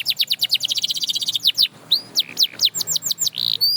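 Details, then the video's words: Canary singing to inspire other canaries to sing: a quick run of high repeated notes, then slower rising and falling whistles and a short buzzy note, loud and clear. "Watch How This Canary Inspires Others to Sing Again!"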